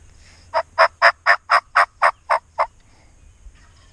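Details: During Iowa's spring youth turkey season, a wild turkey approaching hunters' calls gobbles: a rapid, rattling run of about nine throaty notes in two seconds, loud against a quiet outdoor background.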